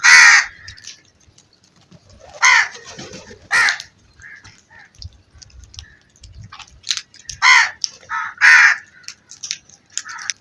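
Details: Crow giving harsh, grating caws in scattered bursts, some in pairs, with quiet gaps and faint background calls between them.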